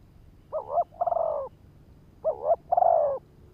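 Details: Spotted dove decoy calling to lure males: two phrases, each a wavering double-note coo followed by a long, slightly falling coo with a stuttered start, about 1.7 seconds apart, faint hum beneath.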